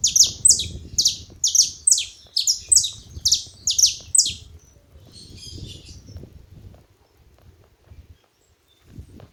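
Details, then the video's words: Saffron finch calling at a feeding spot: about a dozen sharp, high, downward-sweeping chirps in a steady string, then fading twitters and quiet low rumble. "Canário da terra fazendo barulho na seva"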